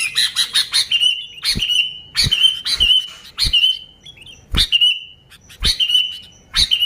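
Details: Sooty-headed bulbul singing lively, without other birds' song mixed in, used to lure bulbuls: rapid chirps at first, then short bright whistled phrases repeated every second or so, with soft low thumps between them.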